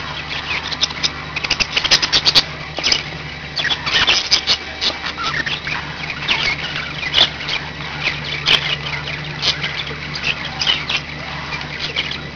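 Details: Several pet budgerigars chattering together: a dense stream of scratchy squawks and short warbled notes, with sharper clicks now and then, over a steady low electrical hum.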